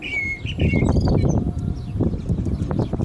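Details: Common blackbird singing during the call to prayer: clear whistled notes near the start, then quick twittering fragments, over a loud, steady low rumbling background.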